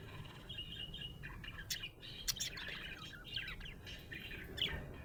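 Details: Cheerful budgerigar chirping: fast, uneven run of squeaky warbled notes with sharp clicks, steady chatter across the whole stretch over faint low hum.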